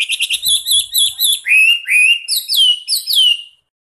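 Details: Song of a Chinese hwamei recorded as master material for training cage songbirds: a quick run of short clipped notes, then two rising whistles and two falling swoops, all loud and clear.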